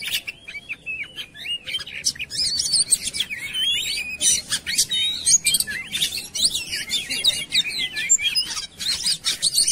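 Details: Magpie-robin song played as a lure to make birds sing actively. Continuous rich warbling with wavering whistles, quick chirps and high sharp notes layered together over a soft background hiss.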